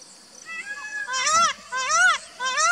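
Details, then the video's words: Indian peafowl calling: a thin, faint opening note, then three loud, harsh, arching cries, each swelling and falling away in pitch. "Indian Peafowl Calling"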